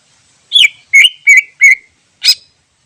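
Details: Wild greater green leafbird, sound used as a lure: four loud whistled notes that slide down and level off, then one harsh burst, all in quick succession against silence.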